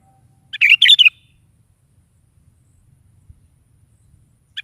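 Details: Sooty-headed bulbul singing energetically in the morning, played to coax a kept bulbul to answer: one short bubbly, warbled phrase of quick up-and-down notes, then near silence, with a second phrase starting at the end.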